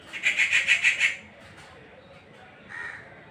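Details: Rufous treepie giving a rapid burst of about six harsh, ringing notes, then quiet, then a single short rasping call near the end.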